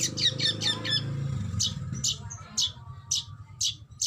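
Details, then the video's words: Oriental magpie-robin (kacer) in a master recording of fierce bursts: harsh rasping squawks, first quick and clustered, then single rough notes about every half second, with low rumbling underneath. "MASTERAN BURUNG KACER TEMBAKAN SADIS BIKIN LAWAN Bagong"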